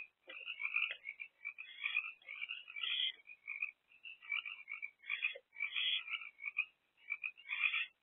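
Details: Barn owl mother perched with her two eldest owlets at a nest box in the small hours of 7 April 2024; continuous busy chittering and squeaky trills with brief pauses.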